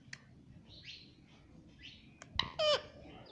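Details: Pet parrot that is taught to say "mummy" gives a few soft chirps and rasping notes, then one loud, harsh squawk near the end, over a low indoor hum.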